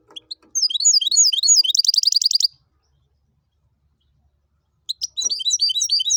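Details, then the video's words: Goldfinch and canary hybrid singing two bursts of rapid, high twittering: looping, slurred notes building into a fast buzzy trill, then a pause of about two seconds of silence before a second twittering phrase starts. "Jilguero híbrido tibetano y tuitero y canario"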